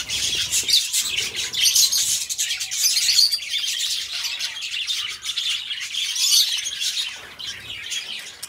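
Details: Caged budgerigars singing together, steady high scratchy warbling and chirping with short squawks, easing slightly toward the end.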